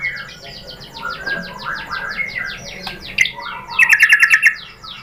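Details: White-rumped shama, played as a lure to provoke a bird into singing: a long run of fast, descending chipping notes, then a rapid bright trill, over a faint background hum.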